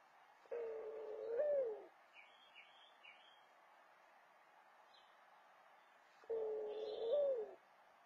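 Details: A Mourning dove, calling to its mate after building a nest, gives two soft, low, hollow coos about six seconds apart, each swelling then dropping away, with faint high chirps from small birds between.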